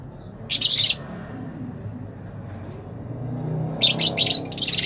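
A rosella gives two bursts of harsh, high, scratchy chattering notes, one brief and one longer, over a low rumble of background noise.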